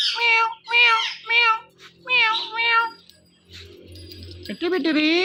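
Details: Indian ringneck parrot voicing quick nasal, meow-like syllables in two bursts of three, a short quiet gap with faint low rumble, then a drawn-out rising call.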